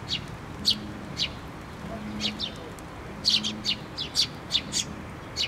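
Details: At a feeder on a post at a Tenmangu shrine, sparrows arriving on 24 June 2023 chirp sparsely at first, then burst into a quicker cluster of overlapping high tweets; a soft low hum comes and goes.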